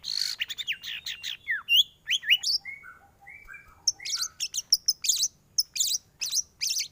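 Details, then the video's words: White-rumped shama song, full and varied, used for training other birds to sing: rapid sweeping whistles and chattering notes, then a run of low pure whistles, followed by high, sharp repeated phrases in quick bursts. "MURAI BATU gacor full isian varasi paling cocok untuk masteran burung cepat bunyi gacor"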